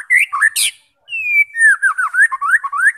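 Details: Loud song of a white-rumped shama, intended to draw fighting birds into song: harsh chips, a brief gap, a long level whistle, then quick rising and falling warbled notes.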